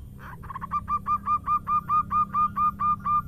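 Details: Female zebra dove calling to a male: a rapid, steady series of short clipped tonal notes, roughly two per second, over a low rumbling background hum.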